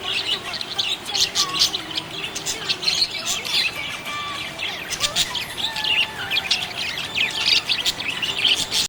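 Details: Happy budgies chirping: dense, busy chatter of high, bright chirps and short squeaky notes running without pause, with a few thin, longer whistled tones weaving underneath.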